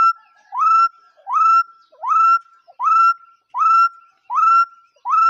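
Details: Repeated whistled bird call, rising sharply and then flattening into a sustained pure note. Calls come roughly every three-quarters of a second with silence between them.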